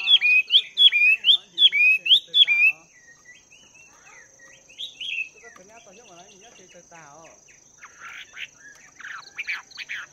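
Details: Chinese hwamei, two months in a cage after capture, singing during morning voice training: a rapid series of about eight ringing, repeated whistled phrases, then quieter warbled fragments and buzzy bursts.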